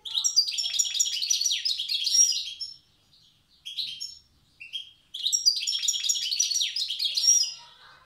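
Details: Old-style song of a wild goldfinch from Tiaret: dense, high tinkling twitter delivered in long rushing phrases, broken by a short pause with a few brief chips before the next outpouring.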